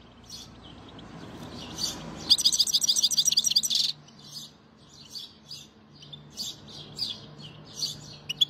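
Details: A European goldfinch (Carduelis carduelis) sings high, bright twittering notes, with a fast tinkling trill of more than a dozen notes in one burst, over a faint low hum.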